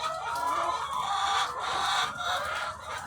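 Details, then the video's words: Farm flock of thousands of laying hens, an unbroken clamour of clucks and drawn-out cackles blending into a thick, busy chorus. "The Sound of Thousands of Egg-Laying Chickens"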